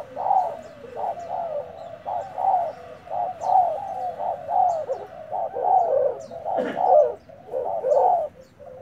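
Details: Newly arrived untamed decoy spotted dove fighting, delivering a long even string of soft low coos, with distant high chirps and one brief sharp noise near the end.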